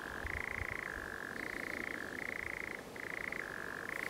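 A nightjar churrs without a break, a dry mechanical trill that flips between a lower and higher pitch roughly every second. Faint low rumble underneath.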